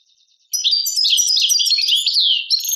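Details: Goldfinch song, Tadmait, Algeria: faint high ticks, then a loud, unbroken stream of bright twittering and sliding, sweet notes carrying on for over two seconds.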